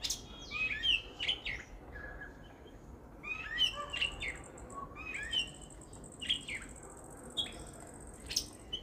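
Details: Jungle babbler in a backyard by a house, perched on a chair: clusters of sharp squeaky downslurred notes in irregular bursts, with a thin steady high whine in the background.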